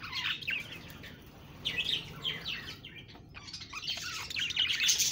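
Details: Budgies give softer, spaced chirps and short falling twitters, separated by gaps, before building to a busier, higher warbling chatter at the end.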